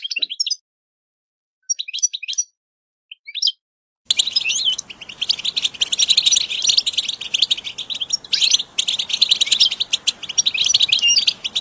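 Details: Goldfinch song recorded for training and motivating caged goldfinches: scattered thin high chirps for four seconds, then a sudden dense, continuous twittering of rapid high notes over a faint hiss.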